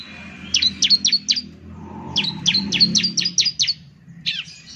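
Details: Bar-winged Prinia (ciblek) lure song: two quick bursts of high, clipped, falling chips, then one lower slurred note, over a low background rumble.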